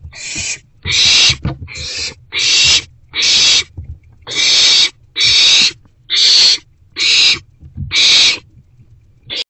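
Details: Owl inside a nest box, evening of 29 March 2024, around two rodent deliveries; a steady run of about ten rasping hiss bursts, each roughly half a second, repeating at a fairly even pace over soft rustling.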